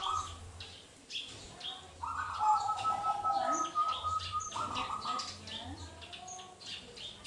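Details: Wild local Indonesian zebra dove, clear-voiced and singing often, used to coax silent doves into song: a long sustained cooing phrase with quick pulsing notes, set against many high chirps from other birds and a low droning hum.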